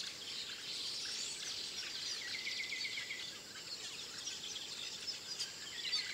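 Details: Village weavers (Ploceus cucullatus graueri) in Akagera National Park, Rwanda, in March 2013 keep up a dense, high, sizzling chatter of many overlapping voices, with buzzy notes and a brief drawn-out whistle in the middle.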